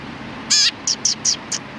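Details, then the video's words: A sparrow from a group of cute sparrows, 31 October 2019, gives one strong harmonic chirp then four quick short high chirps in an even series over faint low hum. "可愛いすずめ達 20191031 1（くっつき君と意味不明な会話）"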